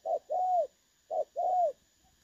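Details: Spotted dove voice in the clear 'dong son' style, a recording used as a decoy for trapping, dated 16 August 2024: two paired coos, each a short hollow note followed by a longer, arched, mellow coo, separated by a brief pause.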